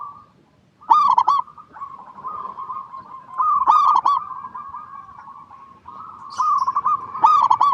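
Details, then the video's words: Local zebra dove singing as a lure for other doves. Three bright, stuttering coo bursts come about three seconds apart over a steady, rolling coo backdrop, with a faint higher chirp. "PERKUTUT LOKAL GACOR PALING DISUKAI 🐦 Suara Asli Bikin Semua Perkutut Dimanapun Pasti Nyaut"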